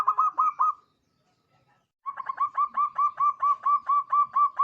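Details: Zebra dove of local Indonesian stock with a clear, crystal-toned song meant to lure other birds: a short rolled phrase, a two-second silence, then a long run of evenly spaced bubbling coos.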